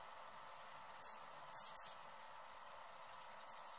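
A hummingbird gives four very high, sharp chips about half a second apart, then a few fainter ticks, over a soft steady background hiss.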